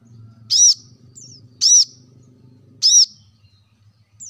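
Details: Plain-throated sunbird calling to prompt lazy caged birds to sing: three loud, piercing, arched chips about a second apart, brief high twitters after them, over a low droning hum.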